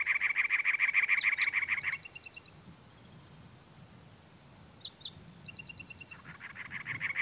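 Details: A male cactus wren calling on territory, perched on a dead bush and teddy-bear cholla, Anza Borrego State Park, California, April 2010: fast, harsh, rasping chug notes, three or four per second, in two bursts, with another bird's thin whistles between.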